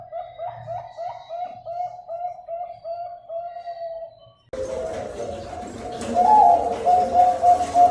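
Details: Master recording of zebra dove song for coaxing reluctant birds to sing. A clean series of quick, bubbling coo notes is followed by louder cooing heard through heavy noise and hiss.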